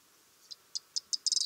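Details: A Corn bunting (Emberiza calandra) sings four high, dry ticks, evenly spaced and then quickening, that break into a brief jangling rattle like shaken keys, against a quiet background.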